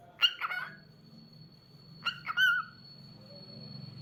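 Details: Cockatiel song of short chirps and slurred whistles in two bursts about two seconds apart, the later whistle falling in pitch, with a thin steady high tone running underneath.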